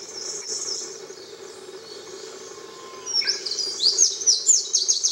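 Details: Eurasian wren at Oji pond on Miyakejima, 22 May 2011, after calls had been heard since April, singing a very high, rapid tumbling trill of sharp notes that grows louder in the second half, over a steady low hum.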